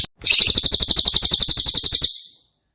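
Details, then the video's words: Training song for caged White-rumped shamas, from a cililin: an immediate rapid trill of bright, sharp, very high notes, evenly pulsed, slowly weakening and trailing off after about two seconds. "Masteran CILILIN Materi Wajib untuk Burung Murai Batu anda!!"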